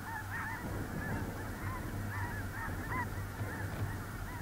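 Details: On a small central North Dakota lake in early November 2021, a large snow goose flock calls continuously: clear, bouncing two-part honks from several nearby birds over a crowded chorus and low rumble.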